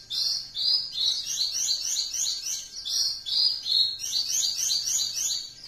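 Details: Horsfield's bush lark; song; training song for other songbirds to learn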